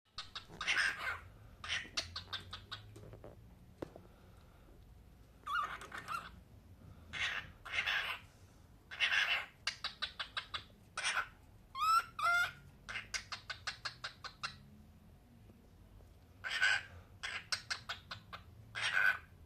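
A cockatiel gives bursts of harsh, scratchy chatter and a few sharp whistled notes indoors.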